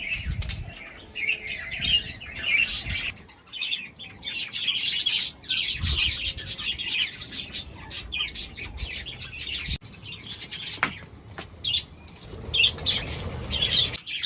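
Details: A breeding colony of budgerigars chatters nonstop with dense, high, scratchy warbles and chirps.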